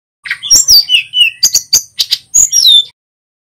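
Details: Male sulingan gunung, a local bird from Pacitan, singing hard in a rolling, varied song: a sharp rising chirp, then whistled slurs dropping from high to mid pitch, and a quick run of clipped, ringing notes and buzzy trills.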